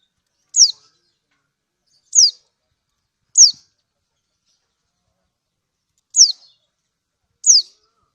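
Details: Lemon-bellied white-eye (kecial kuning) from Lombok, a female calling a male, used as a lure to stir other birds into calling: sharp, high 'ciak' notes slurring steeply downward, five calls spaced one to three seconds apart in silence.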